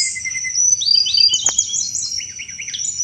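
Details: Sunda robin song with chattering notes, used to draw in thrushes: quick high whistled slurs and looping notes in rapid sequence, one sharp click.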